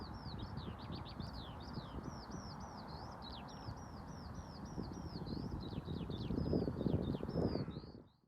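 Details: Eurasian skylark singing high up in the distance near York in summer: a continuous, high, rapid warbling stream of chirps and trills over steady low wind rumble.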